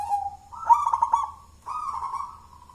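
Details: Local wild zebra dove of the jolotundo style, its voice described as thick and bold and suited as a lure: a steady low coo, then a pulsed, stuttering phrase and a longer wavering coo, over faint low hum.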